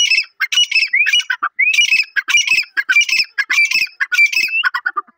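Partridge giving loud, harsh, squawking calls with ringing rising whistles, repeated in quick bursts about every half second.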